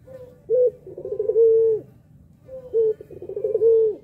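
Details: Puter pelung dove calling to provoke other doves into calling: two low cooing phrases, each a short note, a fast rolling stutter and a long steady hum, two seconds apart.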